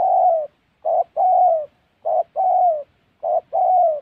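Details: Gia Lai, Vietnam, wild Central Highlands forest, trapping spotted doves: the dove repeats husky two-part coos, a clipped first note and a drawn-out falling second, about three phrases in quick succession.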